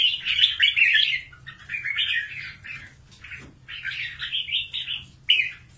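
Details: Red-whiskered bulbul, a trapped wild fighting bird from Cao Bang, gives bubbling, slurred warbled phrases in short bursts separated by brief gaps, over a soft low hum.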